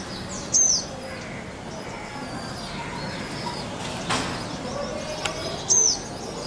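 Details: Male purple-rumped sunbird in India giving two sharp, very high, thin notes that slide slightly downward, about five seconds apart, over a quiet background hiss with faint distant sounds.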